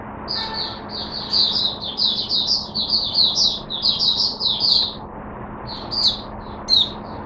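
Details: Oriental white-eye held in a cage, singing on 5 May 2022, a long run of high, rapid, jumbled twittering notes followed by scattered single chirps, with background hiss and a low hum.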